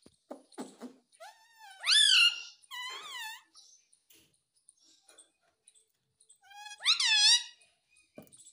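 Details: Two bursts of speech-like ringneck parrot vocalisation, each with several rising, harmonically rich syllables, separated by a long quiet stretch with faint ticks and clicks.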